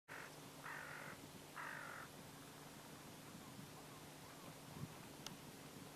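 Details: Great black-headed gull, a winter visitor, filmed at the Kuma River mouth in Yatsushiro, Kumamoto, Japan, and in Bayankhongor, Mongolia. One short call is followed by two longer, harsh, nasal calls at mid pitch, over steady low background hum.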